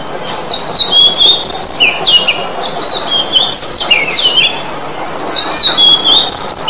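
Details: Song of an Oriental magpie-robin, used to prompt a silent bird to start singing again: rich, varied clear whistles in short rising and falling phrases, some slurred down sharply, separated by brief pauses.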